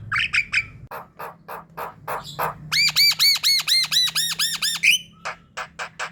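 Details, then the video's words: Javan myna sounds used as bait to attract others of its kind: harsh rasping squawks repeated about twice a second, then a long rapid run of ringing arched notes, followed by more squawks. "Putarkan suara ini untuk pancingan jalak kebo ombyokan"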